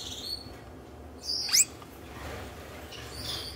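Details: Red-headed Gouldian finch pair in courtship, newly paired for breeding in their third season together, with a nest box, 2019; short high thin chirps and a brief rising squeaky note, separated by quiet gaps, over a low steady background hum.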